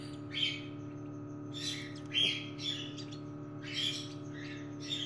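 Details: Cockatiel calls heard while a chick is helped out of its egg at the nest: short harsh squawks with thin whistled edges, about one each second, over a steady low hum and a faint click.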